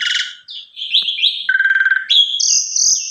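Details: Lure song of an Asian pied starling intended to provoke others to sing: rasping notes, then a rapid buzzy trill in a lower register, followed by high, steady whistled notes.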